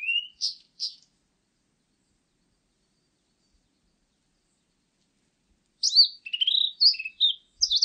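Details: Blue-and-white Flycatcher: a few short high whistled notes, a long pause, then a quick run of varied whistles and buzzy notes, clean and quiet.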